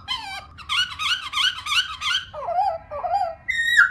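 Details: Captive female Black-throated Laughingthrush giving rolling, slightly nasal whistled notes in quick bouncing bursts, then a drawn-out higher whistle; a recording meant to stimulate other laughingthrushes to sing.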